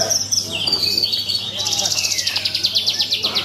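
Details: Bush lark (branjangan) performing in a bird contest: thin high whistles give way to a long, rapidly pulsed buzzy trill, with low background chatter from spectators.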